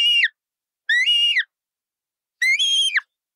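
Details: Colourful parrot producing three strong, reedy whistles, each level and then dropping sharply at the end.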